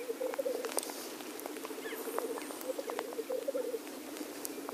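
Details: Male black grouse displaying at a lek: a continuous low bubbling, cooing chorus, with short rhythmic pulses swelling and fading, and sharp clicks and brief higher notes scattered above.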